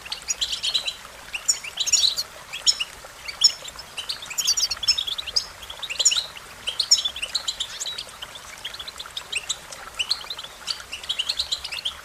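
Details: Twelve seconds of American goldfinch song: bursts of jumbled, high-pitched twitters and canary-like trills roughly every second, densest in the first half, softer and sparser toward the end.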